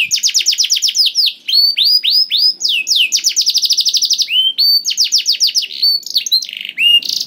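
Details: Singing canary, played to stimulate other canaries into song: rapid series of sharp falling whistles grouped into rolling phrases, fast trilled stretches and rising slurs, bright and high throughout with nothing else heard.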